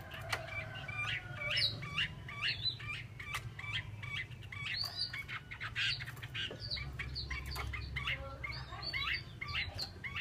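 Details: Female Chinese hwamei giving a busy run of short whistled notes, many quickly rising or falling, in clusters through the clip, over steady low background hum.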